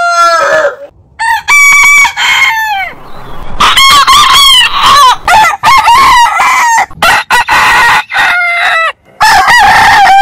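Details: Several heritage-breed roosters crowing over one another; rapid succession of crows with stuttered openings and falling endings, nearly continuous calling.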